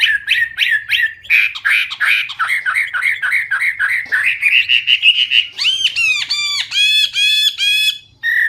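A Chinese hwamei sings loud, rich phrases: fast repeated notes that climb in pitch, then clear ringing whistles that arc downward, each repeated several times.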